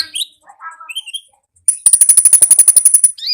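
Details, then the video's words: Konin in "ngalas" wild-style song: a few soft warbled and whistled notes, then a long fast trill of steady high ticks lasting well over a second. "AUDIO KONIN GACOR NGALAS Suara Asli Alam Liar"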